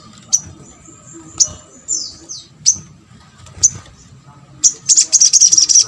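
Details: Sunbird kept for drawing responses from other birds: sharp, high chips every second or so, one downslurred note, then a fast run of thin ticking notes at the end.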